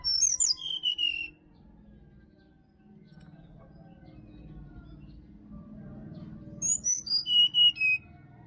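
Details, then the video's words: Bali wild forest recording of sirdadu song: a descending run of high, clear whistles opens, followed by a low background hum. A matching falling whistled phrase returns near the end. "SUARA ASLI HUTAN SRDC BALI COCOK UNTUK PANCINGAN DI PAGI HARI SRDC MALAS BUNYI"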